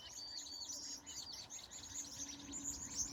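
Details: Evening birds at sunset in California: a chorus of high, quick chirps and brief whistled notes, several callers overlapping above a soft, steady hum.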